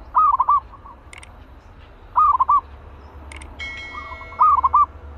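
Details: Caged zebra dove, spirited and trained as a trapping decoy: three bursts of rapid, rolling, staccato coos about two seconds apart, with a few sharp clicks and a faint steady tone in the background.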